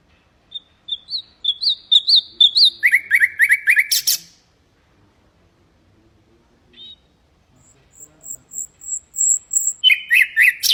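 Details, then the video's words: Common nightingale, Hasaniya song used to teach canaries and goldfinches; rising-falling notes repeated quickly, a dense burst, a quiet gap with one thin high whistle, then another fast series of descending notes. "تغريد طائر العندليب الحسنية لتعليم طيور الحسون والكناري بدون أخطاء"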